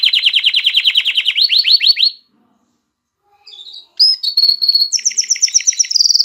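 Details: Excited male canary singing to prepare females for mating, with a female canary's call: a fast rolling trill of repeated notes for two seconds, a brief pause, then clear whistled notes and buzzy high rolls.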